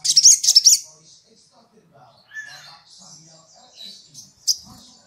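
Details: Lure recording of a gacor sogok ontong, or olive-backed sunbird, meant to call rival birds: a brief burst of fast, high trilled notes opens, followed by quieter twittering and one sharp high chip.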